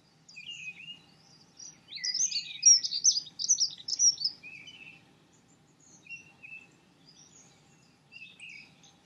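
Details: A singing Dunnock (Prunella modularis) delivers a quick, high, jangling warble of about three seconds, then fainter scattered high notes follow over a soft low rumble.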